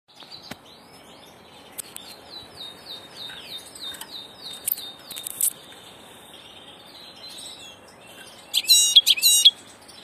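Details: European goldfinch, a passage (migrating) bird, singing a faint series of short, down-slurred high notes repeated quickly, then ending in a loud burst of sharp, twittering chirps.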